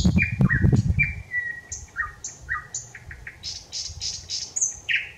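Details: Thrush nightingale (Luscinia luscinia) singing on 25 May 2021: loud, varied phrases of clear whistles, sharp clicks and high buzzy trills, quickly repeated, over low rumbling background noise.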